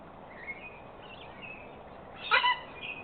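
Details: At a backyard water spot in Australia, where a regular visiting cockatoo is often challenged by other aggressive cockatoos, a cockatoo gives one brief, harsh, grating squawk after a couple of faint thin whistles against a quiet outdoor background.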